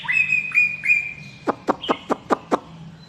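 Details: White-rumped shama from Medan, long-tailed, singing: three level whistled notes, then a series of about six sharp, evenly spaced ticks over a faint low hum.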